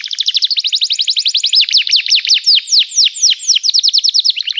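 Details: Loud, continuous canary 'gacor' song with emotional 'cuit cuit' chirping, used to make other canaries sing: rapid staccato notes that give way to rhythmic sweeping downslurs, then a quick chatter again.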